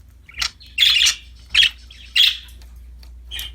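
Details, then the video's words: Happy pet budgerigars playing with a new toy, giving bright, harsh chirps in short bursts, roughly four clustered calls over a few seconds, some doubled, with brief pauses between; a faint low hum runs underneath. "Happy budgies chirping for lonely birds, singing, playing with a new toy"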